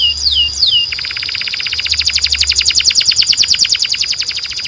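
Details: Belgian canary song urging other canaries to sing: two sharp down-slurred whistles followed by a long, very fast rattling trill that grows louder and repeats evenly.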